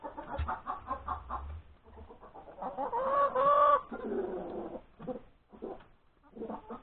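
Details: Hen announcing a freshly laid egg at breakfast time, 31 January 2021, with rapid clucking about two per second that swells into a long, loud, wavering squawk, then trails off into scattered clucks.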